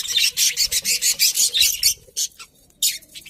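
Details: Budgerigars chirping as pets, a fast run of harsh, buzzy chirps at about three per second, then a short quiet gap and a few scattered notes.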